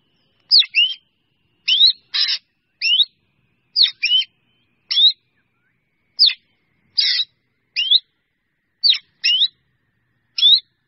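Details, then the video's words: A drongo calls its flock with a long run of clipped, rising whistled notes broken by an occasional harsh buzzy rasp, about a dozen calls delivered steadily over ten seconds. "Tiếng Chèo Bẻo kêu gọi bầy"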